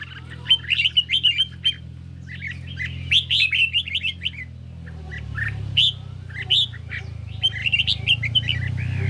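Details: Red-whiskered bulbul, caged, singing hard against a phone recording on a partly sunny day. Clusters of quick, bright warbled notes ring out over a steady low rumbling background hum.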